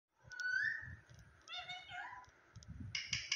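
A parrot speaks a few quick, word-like syllables in a high, nasal voice, opening with a rising squeaky sound. Low indoor rumbling sits underneath.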